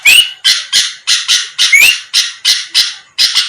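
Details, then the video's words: Sooty-headed bulbul lure call aimed at rival birds, which respond fast: evenly spaced rasping bursts, roughly ten in three seconds, opening and mid-way with a bright upslurred whistle. "pancingan Suara burung kutilang gacor⁉️lawan langsung merespon cepat"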